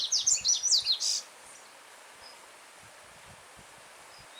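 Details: Yellow-bellied seedeater singing freely in the wild, a firm, melodious song. One quick burst of high, sharply marked chirps lasts about a second. Afterwards only the steady hiss of a stream flowing between stones continues, with a faint note at the end.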